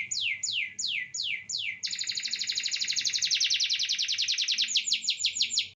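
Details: Singing canary, short series but lasting well: five slow descending whistled sweeps, then a long rolling rapid trill of pulsed notes, ending in quicker sweeps; low background hum throughout.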